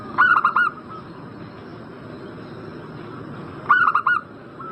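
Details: Zebra dove call used as a lure to prompt a bird in breeding condition to answer; two bursts of three or four quick, rich cooing notes about three and a half seconds apart, over a steady low background hiss.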